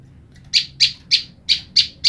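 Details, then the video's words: A female olive-backed tailorbird, kept apart from her mate, calls to the male as they answer each other: six sharp, high chips about a third of a second apart, over a faint low hum. "Prenjak lumut betina memanggil jantan"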